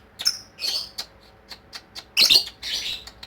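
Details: Ngekek song of a lovebird: a busy string of short scratchy squeaks and rasps, ending in two longer, louder grating bursts.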